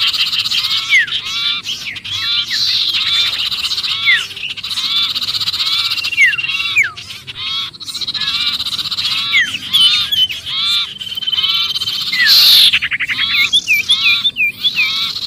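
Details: Lure recording of sirpu in alarm, calling as though pinned and trapped: an unbroken, busy stream of scratchy churring and rapid swooping squeaks, several birds overlapping, growing sharper and louder near the end.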